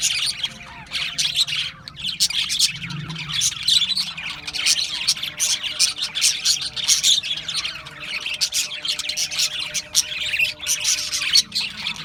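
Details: Australian budgies keep up continuous chirping chatter, high squeaky twitters and harsh squawks overlapping, with a low steady hum in the background.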